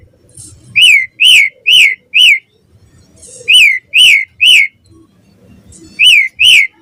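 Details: An Asian pied starling sings vigorously in the morning, meant to lure other starlings into singing. Bright, arched whistles in bursts of three or four, separated by short silences, over a quiet low hum.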